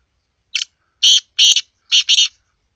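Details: Loud, clipped call of a black francolin, known as kala teetar: one brief harsh opener followed by four longer rasping, buzzy notes in two pairs, with no other sounds.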